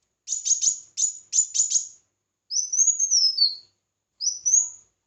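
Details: Red-whiskered bulbul singing competitively: three quick pairs of sharp high chips, then two long rising-and-falling whistled phrases separated by silence.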